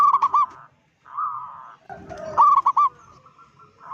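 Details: Local zebra dove giving a provoking call at other zebra doves. Clipped hooked coos lead into a smooth purring trill, then another loud burst of coos fades into a drawn-out rolling tail, with low background rumble.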